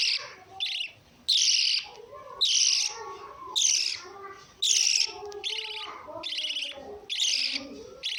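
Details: Lovebird chattering in a run of rasping, high shrieks repeated roughly once a second, with softer lower chirps and twitters between the loud bursts.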